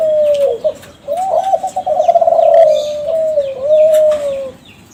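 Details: Kelantan-type spotted dove from champion contest stock, singing as a lure to draw replies. A smooth coo, a rapid rolling trilled stretch, then long even coos, with scattered faint high chirps.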